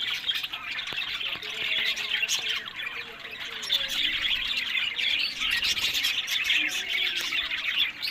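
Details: Captive budgerigars kept for breeding in Larkana, Sindh, chattering together: a dense, continuous mix of high chirps, squeaky twitters and warbled notes with no pauses.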